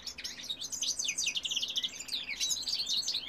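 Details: Male European goldfinch in song, recorded 2018: dense, continuous high twittering made of quick slurred chirps and a short buzzy stretch, lively and unbroken throughout.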